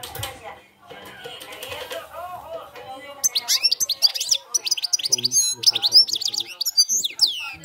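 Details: European goldfinch, campero song style: after a few seconds of low voices and background music, a lively burst of rapid, high, tinkling twitters and buzzy slurred notes runs to the end.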